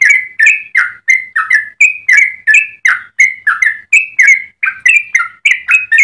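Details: Yellow-vented bulbul song intended as a master recording for other bulbuls: continuous quick string of rich, warbling whistles, paired notes rising and falling, loud and clear with no other sounds.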